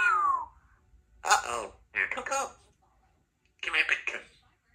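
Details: A 3-year-old female Congo African grey parrot practising words after a shower gives a falling whistle, then three short, raspy, human-sounding word phrases spaced about a second apart in a quiet room.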